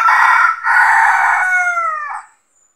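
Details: Red junglefowl rooster (manok labuyo) crowing during traditional trapping, where a decoy rooster lures wild roosters that come to fight for territory; two loud harsh opening bursts then a long drawn note sliding down and fading.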